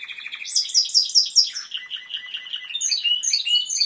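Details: Song of a Timbrado canary: a short rattle gives way to loud, high, rapidly repeated sweeping notes, then a lower pulsed roll and a high chattering trill at the end.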